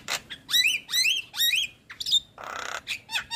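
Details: Javan myna, white-eyed form, prompting call for reluctant singers: three loud squawking upslurred notes, a sharp whistle, a burst of harsh hissing noise and a final rising squeak.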